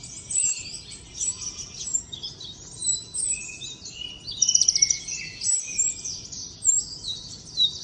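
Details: In the wild, a common iora delivers trotol song as a long, shrill, jumbled chatter of high notes, with a mid-clip machine-gun rattle and scattered sharp chips.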